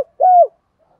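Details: Single mellow hooting coo from a spotted dove, used to stimulate a male to coo. The note is level and soft, about a quarter second long, with a slight fall at the end.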